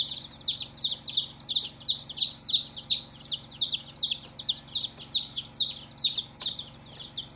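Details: Newly hatched chicks on their first day, peeping loudly together: bright, high chirps sliding downward come in quick succession, nearly three per second, forming a dense lively chorus over a faint hum.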